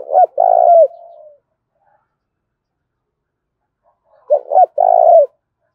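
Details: Spotted dove calling aggressively in a 'thúc' contest, thổ pha đồng voice style: one throaty coo phrase trailing into a soft fading tail, then after a pause of about three seconds another double-note-plus-long-coo phrase.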